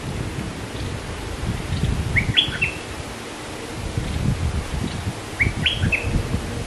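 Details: Scarlet-backed flowerpecker, a bird pairing and building a nest: two quick bursts of thin, high chirps, a few sharp rising and falling notes each, about three seconds apart over low rustling background noise.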